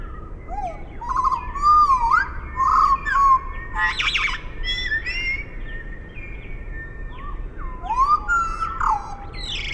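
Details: Eurasian blackbird song slowed to half speed: low, fluty warbled phrases that rise and fall, each followed by a higher twittering flourish, with a brief harsh burst midway and thin steady tones from other birds behind.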